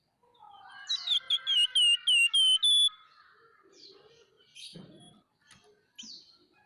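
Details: Chattering 'nyerecet' calls of a scaly-breasted munia: a burst of seven or eight sharp, repeated downslurred whistles, about four per second, rising in loudness, then soft scattered chirps and a brief low thump.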